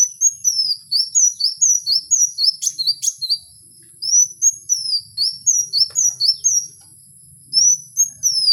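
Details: Wild kowul pouring out long runs of quick, high, thin whistled slurs, several notes per second, broken by two short pauses, with a couple of sharp clicks early on.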